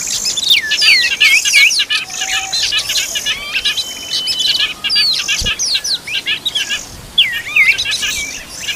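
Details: While feeding its young, an Oriental magpie-robin gives bursts of high, looping whistled notes and rapid chirps, separated by short pauses, with a soft steady hiss in the background.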